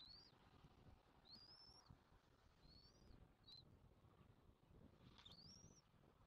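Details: Southwest Florida bald eagle nest, 1 June 2024, adults feeding the chick: a series of high, thin, arching whistles, four to five in six seconds, one clipped short, over steady low wind noise.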